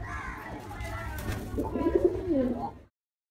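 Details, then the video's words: Pigeon in an aggressive mood, fighting and slapping a man, makes a short run of deep, wavering coos that rise and fall in the second half before cutting off, with a low background hum. "Angry pigeon slaps man || Pigeon sound || Pigeon attitude || Pigeon fight"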